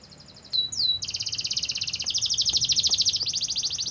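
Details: Canary song played to prompt other canaries to sing: two sliding whistles followed by a long, fast, buzzy rolling trill.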